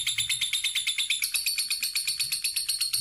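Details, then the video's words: Lovebird 'ngekek' song: a continuous rapid, shrill trill of evenly pulsed high notes that steps slightly higher partway through and keeps going for the whole three seconds, heard in a small room. "Masteran Kicau Lovebird Ngekek"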